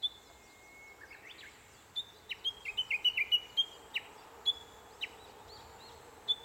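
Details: Japanese bush warbler singing: a long steady whistled note rising into a quick run of bright notes, then sharp single chips repeated roughly every half second, over a faint background hum.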